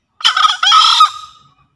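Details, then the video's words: Green junglefowl from Java, a recording used as a master lure call to prompt newly caught or quiet birds and for trapping in the forest; one short, harsh two-part crow, a brief rough burst then a longer hoarse note trailing off. "Suara Master Pikat Ayam Hutan Hijau Sedang Beraksi"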